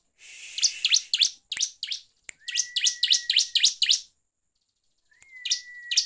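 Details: Bar-winged prinia singing in gacor ngeplong style, a lure recording meant to provoke other birds: rapid runs of shrill high chirps, several quick notes per second, with a flat sustained whistle under later notes and brief quiet gaps.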